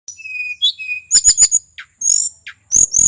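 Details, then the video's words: Local male tledekan gunung from Mount Merapi in full song, used to provoke other birds: high thin whistles and sharp clicks, then bursts of buzzy chattering notes with brief pauses between phrases. "Suara asli tledekan gunung merapi FULL GACOR"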